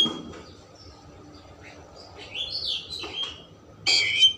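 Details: Oriental magpie-robin singing to provoke emotion and tail opening: soft notes at first, then clear whistled slurs and a loud harsh burst near the end, with faint low murmuring at the start.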